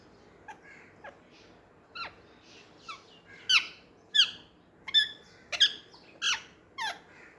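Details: Baby Indian ringneck parakeets chatter while playing with each other alongside an Alexandrine parakeet. A quick series of about a dozen short chirps and squawks, starting soft and scattered, then louder, sharp notes coming about twice a second.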